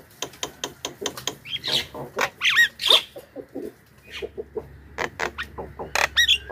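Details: Javan myna calls used as a lure for wild mynas: a run of short, harsh, clicking and squawking notes in quick bursts, with a few brief whistled notes and a low steady hum beneath.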